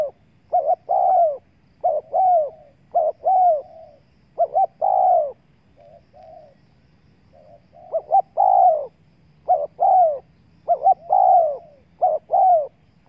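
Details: Long series of spotted dove coos meant to attract wild doves: many short double notes and drawn-out falling croos in loose rhythm, with a brief lull of softer notes in the middle.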